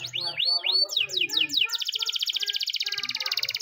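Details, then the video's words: Canary training song recorded in the morning: high arched whistled notes, then a run of rapid descending sweeps, ending in a fast, even, rattling trill of repeated notes; faint low hum underneath. "the best canary training song in the morning!!"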